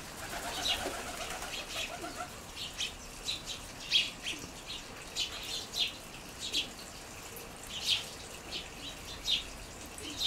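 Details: Group of house sparrows on the ground under a seed feeder in a garden, among several noisy groups; bright chirps spaced roughly a second apart, with softer chatter in between.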